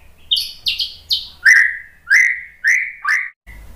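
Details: White-rumped shama song used to provoke other birds into singing: a series of loud whistled notes, first high around four kilohertz, then dropping to lower slurred whistles repeated about every half second.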